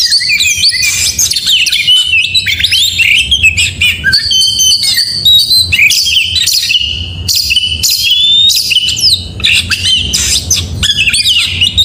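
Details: In the morning an oriental magpie-robin pours out a dense, unbroken medley of high whistles, chirps and trilled bursts, the style called 'gacor mewah'.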